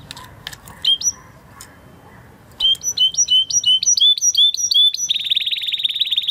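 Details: Spanish Timbrado canary, bred in 2020, in training song: a few scattered clicks and a single whistle, then a steady series of clipped two-note whistles and a closing fast buzzy trill.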